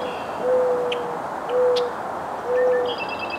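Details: A Mourning Dove in an eastern United States backyard gives soft, low, owl-like coos, a call associated with summer days: three steady hollow notes about a second apart, with faint higher chirps from other birds in the background.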